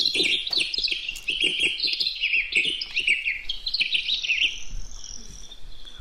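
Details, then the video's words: Cassin's Finch song from Idaho: a very long, rapid, jumbled series of complex high tweets and chips with a buzz or two. It is more musical than a House Finch's and lacks the harsh zhreet note. "Again, very hard to describe. Just a very long series of complex tweets and chips and maybe a buzz or two."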